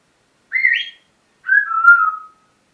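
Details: Pet parrot in a morning vocal session: two clear whistled phrases, the first rising then levelling, the second a long, slowly falling whistle, with quiet gaps around them.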